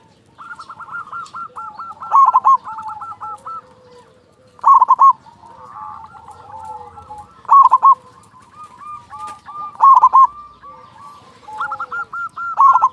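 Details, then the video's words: Local zebra dove, a loud-voiced, persistent singer, recorded as a lure to stir other zebra doves into singing. Loud, rough, stuttering coo phrases come about every two and a half seconds. Softer rapid hooked notes and low drawn-out notes fill the gaps. "Perkutut lokal gacor suara besar pancingan burung perkutut agar cepat bunyi"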